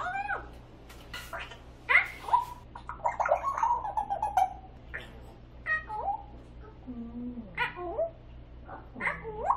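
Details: A pet grey parrot screams loudly indoors in the afternoon, giving harsh, wavering screeches and squawks in quick irregular bursts, several a second, with a lower sliding call near the end, while a quaker parrot says no.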